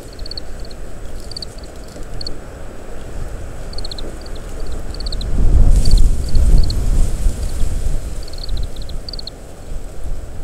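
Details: Feeding Oriental greenfinch shelling summer camellia seeds, uttering quiet high twittering note groups every second or so, captured by parabolic microphone; heavy gusting wind rumbles underneath, swelling midway.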